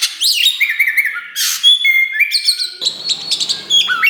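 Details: Oriental magpie-robin of the black kacer wulung type singing to stimulate other birds: thin high whistles and flat held notes, a sudden harsh burst, then varied chirps over faint background rustling.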